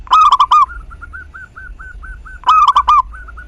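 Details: Lively local zebra dove song, played to spur other doves to sing: two loud stuttered cooing phrases about 2.4 seconds apart, with a steady series of soft, short repeated notes filling the gap between them.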